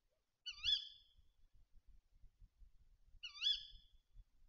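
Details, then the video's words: At a Bieszczady feeder on 7 September 2023, a tawny owl gives two short, rising-then-falling harmonic squeals about three seconds apart, with faint low rumbling between them. "A to się puszczyk rozgadał"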